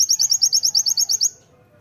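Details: Oriental white-eye singing loudly, a master song for training: a fast, even series of about twelve high, sharp rising notes over roughly one second, then quiet.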